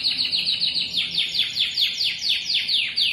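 A canary sings a clear, high trill of rapidly repeated down-slurred notes, about five per second, then slightly slower, bright and ringing over a quiet background.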